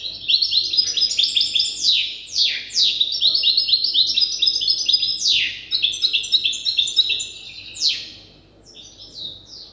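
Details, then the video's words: Goldfinch hybrid youngster still learning its song from an older hybrid: an energetic stream of twittering notes broken by repeated sharp downward-sweeping buzzes, steady and fast over nearly ten seconds. "تغريد هجين الحسون لازال في مرحلة الحفظ"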